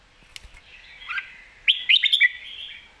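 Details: A Red-whiskered bulbul kept for competitive singing in Thailand gives a faint warble, then a clear burst of five quick whistled chirps stepping downward.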